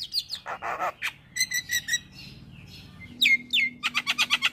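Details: Male Javan myna song meant to set other mynas singing: harsh raspy bursts, stacked whistled notes, a sweeping downward whistle and quick repeated clicking notes.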